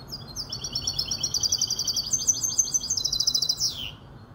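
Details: Casablanca goldfinch hybrid aged five months delivering a sustained run of quick, high, tinkling trilled phrases lasting about three and a half seconds. It closes with a sliding downward note over steady low-frequency background noise.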